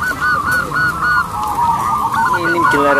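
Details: Local zebra doves singing loudly with long, ringing voices, kept as a lure to set other doves singing; rolling, repeated cooing phrases overlap steadily, several birds calling at once with a faint background hum.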